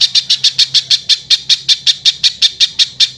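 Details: Velvet-fronted nuthatch, harsh song for training other birds: steady stream of loud, rasping high notes at about five per second, with a faint low hum beneath.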